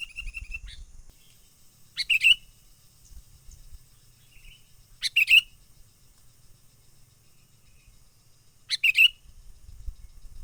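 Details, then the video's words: Sooty-headed bulbul, wild, lure call for trapping in full menggaruda style: three short, bright chattering bursts about three seconds apart, with faint steady whistles and low rumbling noise between them. "SUARA pikat kutilang gacor asli alam liar"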